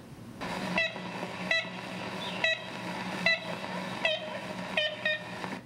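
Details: Ivory-billed Woodpecker in the American South giving nasal, tin-horn-like single toots, some doubled, about one per second at an uneven pace, over a steady low hum; possibly the 1935 recording, and a sceptic suggests similar calls could be blue jay.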